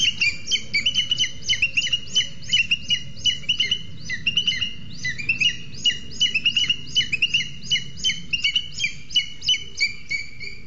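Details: Booted eagles calling at a nest in Sierra de Guadarrama National Park, Spain, when the male arrives with a lizard for the incubating female on two eggs. Rapid, high, whistled piping notes repeat continuously, several per second, both birds calling.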